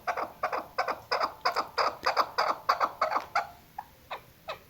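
A female chukar gives a run of hoarse, clucking chuck notes, about three a second, that then thin out into a few spaced, fading calls.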